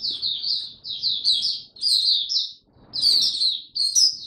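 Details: Singapore hobby white-eye in a cage, 31 July 2023, starting to sing again after a pause: bursts of thin, high chattering warble lasting about a second each, split by short silences, with a soft low rumble in the background.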